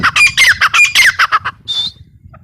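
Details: Harsh, grating squawks from a female grey francolin, about eight quick notes in a row, ending with a brief thin whistled note over a low background hum.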